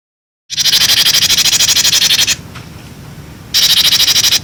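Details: Cinereous tit, a clear-voiced recording used to tutor young birds: a rapid buzzy pulsed chatter lasting nearly two seconds, a pause, then a second burst of the same rapid pulses.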